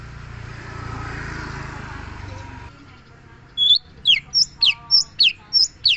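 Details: Long-tailed shrike, locally called cendet, singing: after a stretch of background rumble, a rapid series of sharp, high, sweeping whistled notes repeated about twice per second.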